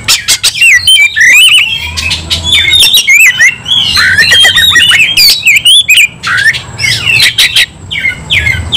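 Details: Emotional, persistently fighting Oriental magpie-robin delivering a long dense outpouring of squawks, zigzag whistles and rattling clicks, very loud and nearly continuous, ending in spaced sharp chips.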